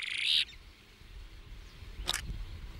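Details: A New Zealand dotterel, recorded in New Zealand in 2019, gives a loud, high, rasping note lasting half a second. A single sharp chip follows a second and a half later, over a low background rumble.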